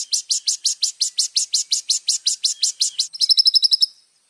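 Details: Little spiderhunter in rich 'isian' song used for tutoring birds: a steady series of sharp high chips, about three per second, then a faster, tighter burst of thin notes at the end.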